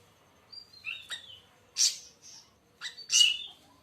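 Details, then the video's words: Siri siri besar, or siri siri raja, singing a few whistled slurs followed by two loud harsh, buzzy high bursts. "kicau burung siri siri raja"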